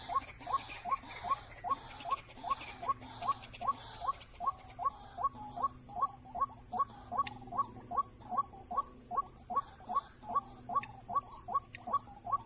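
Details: In an oil palm plantation, a white-breasted waterhen responds to a trapper's lure with a long, regular run of short rising call notes, about 2.5 per second, with faint other chirps and steady insect buzz behind.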